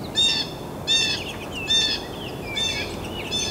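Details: Downy woodpecker nestlings, at least three, in a nest cavity being fed by adults in late May and early June: harsh, buzzy begging bursts repeated roughly every 0.7 seconds, with softer chattering notes between.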